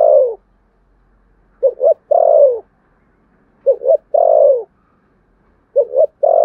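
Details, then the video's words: Spotted dove giving Sấm Thổ-style contest coos. Each phrase is a quick stuttered double note followed by a long descending coo. About three phrases are separated by two-second pauses, with a faint low hum in the background. "tiếng cu gáy thổ sấm/ chim cu gáy gù đấu và thúc bài bản giọng Sấm Thổ"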